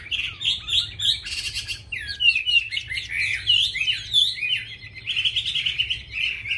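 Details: Chinese hwamei singing rapidly varied whistles and warbles broken by short harsh buzzy bursts, then continuing in a steady run of fluid phrases over a low background hum.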